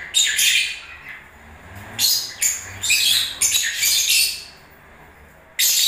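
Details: Breeding-season lovebirds utter bursts of piercing, raspy chatter separated by quiet pauses, ending with a sudden loud phrase.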